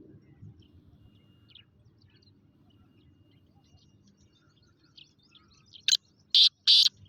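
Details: Kala teetar (black francolin) gives a sudden loud burst of three grating, rasping notes near the end, following a long quiet passage with faint low background rumble and a few distant thin chirps.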